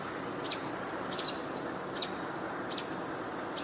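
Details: American robin on 29 June 2022, at least a couple of robins vocalizing near a field, possibly one reacting to another: short, sharp, high chips roughly every second over a steady hiss of wind or distant traffic.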